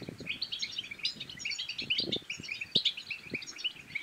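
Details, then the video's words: Moroccan goldfinch song aimed at stimulating males to sing and females to mate; fast liquid twittering phrases run nonstop at high pitch, accompanied by repeated low knocks and thumps. "بتبتات الحسون بتبتة تنطق اي حسون كان صامت سيغرد بتأكيد خرافية في تحفيز على التغريد"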